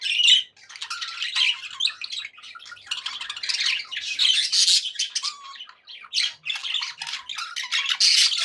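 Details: Continuous, busy budgerigar chatter from contented pet birds: grating warbles, clicks and high squeaky chirps run together, with louder harsh notes at the start and end.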